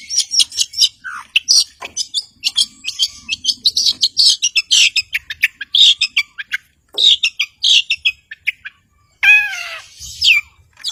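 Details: Caged long-tailed shrike meant to goad silent birds into singing, pouring out a long fast medley of high chirps, buzzes and rasping notes, briefly pausing before a final harsh phrase.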